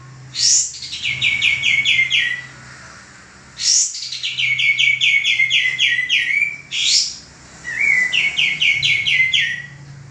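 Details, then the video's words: A male common iora, used for training cage birds, repeats rapid trilled phrases of sharp descending chirps, each introduced by a loud high upswept note, four phrases in ten seconds over a faint low hum. "suara burung kapas tembak jantan gacor sangat cocok buat masteran"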